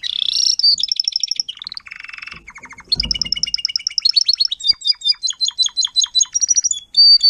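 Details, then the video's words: Timbrado canary, an adult tutor singer teaching young canaries to sing, phase 4, 2021: rapid high trills and rattling tours in shifting blocks, buzzy rolls, then fast repeated clear notes and a steady whistled tone at the end. "TIMBRADO KANARIEN (gesang)"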